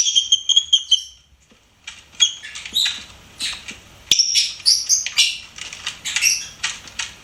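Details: Pet lovebird singing and chirping: a quick run of shrill, high trilled chirps opens, then after a brief pause come scattered sharp, squeaky notes and rasping chatter in irregular bursts, with no other sounds.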